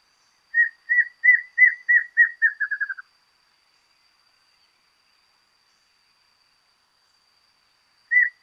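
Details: Rufous-capped Antshrike recorded in Argentina, delivering about ten whistled notes that speed up and step down in pitch over under three seconds, then a long silence and one more single note; background otherwise still.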